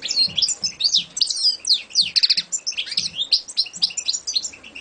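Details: European goldfinch, champion songbird, singing an energetic stream of rapid twitters, buzzy rattles and tinkling notes with hardly a break; faint low thumps in the background.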